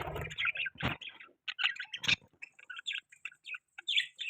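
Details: Budgerigar chatter during mating sounds: quieter chirps, clicks and warbled notes scattered over the clip, with a couple of sharp broadband knocks early on.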